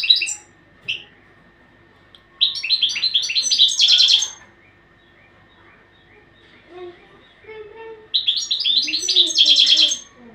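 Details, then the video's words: European goldfinch training song in two long twittering phrases of rapid, buzzy, tinkling notes, with a few soft, lower warbled notes in the gaps between them. "تغريد الحسون"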